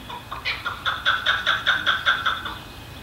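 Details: Chukar from a flock living in a suburban Colorado neighbourhood, calling from fences and rooftops: a harsh, clucking series of chuck notes, about five a second, building then easing off, over faint background hum.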